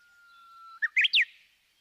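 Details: Japanese bush warbler singing a held pure whistle followed by a fast, climbing three-part flourish of bright slurred notes, clean with no other sounds.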